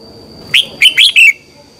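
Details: Morning song of a red-whiskered bulbul used to train birds: one quick phrase of four bright, slurred whistled notes, sliding up and then down, under a second long.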